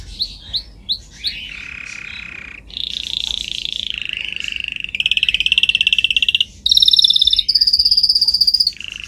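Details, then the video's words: Canary song from a training recording: a few short upslurred notes, then a chain of rolled tours. Each is a steady run of rapid repeated notes held for one to two seconds, shifting step by step from lower to higher, thinner pitches. "Canary singing"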